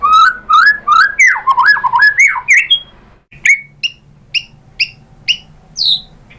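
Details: White-rumped shama song used as a lure to provoke another bird into singing: rapid rising and falling whistled phrases that slow into spaced, sharp upslurred notes about twice a second, with faint low background hum.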